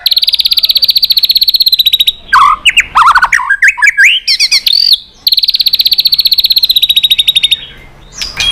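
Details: Competition-singing white-rumped shama, tail flicking, in a long many-phrased song: a fast rattling trill of high repeated notes for two seconds, then loud varied swooping whistles, then another long rapid trill.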